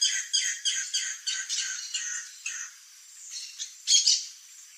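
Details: A Guira cuckoo in Bogor gives a rapid series of harsh, raspy squawks, about three per second, then pauses before a few louder scratchy notes.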